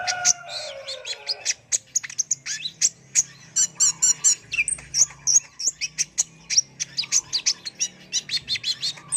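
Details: Sunbird, known locally as kolibri ninja, singing in a fast, busy stream of sharp high chirps, squeaky twitters and short trills that run almost without pause; a few lower buzzy notes open the sequence.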